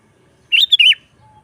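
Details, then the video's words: Sooty-headed bulbul singing a lively phrase, intended for luring wild bulbuls and tutoring captive ones: three warbled notes in a quick bubbly group, the final note sliding downward, with a faint low hum afterward. "Suara Burung KUTILANG GACOR Nggaruda"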